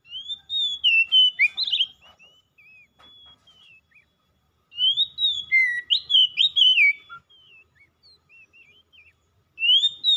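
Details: Oriental magpie-robin singing in continuous gacor style: bursts of sweet rising and falling whistles mixed with quick chattering notes, a pause of about three seconds, then another phrase and the start of a third.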